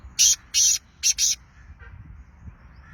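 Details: Sindhi black francolin (kala tetar) calling: four loud, harsh, rasping bursts within about one second, two short-long notes then two quick shorter ones, followed by quiet background with a faint distant note.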